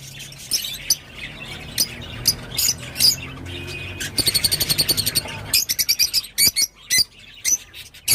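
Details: Rosy-faced lovebird calling with scattered sharp high chips, then a quick burst of rapid squeaky notes and more clipped shrill calls, over a low background hum.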